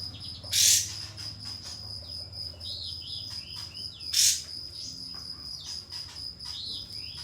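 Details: Pied fantail used to lure a rival into opening its tail and singing: two loud harsh bursts about three and a half seconds apart, with short arched whistles in between, against a constant shrill background tone.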